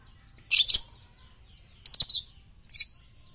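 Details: Lovebird calls, used as a training sound for morning, noon and night: three short bursts of high, grating chirps, each a tight cluster of two or three notes.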